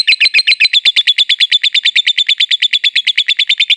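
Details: Young pet lovebird learning to chatter: a fast, steady run of about thirty sharp, high chirps, evenly repeated several times a second, ringing and slightly buzzy, with no other sounds.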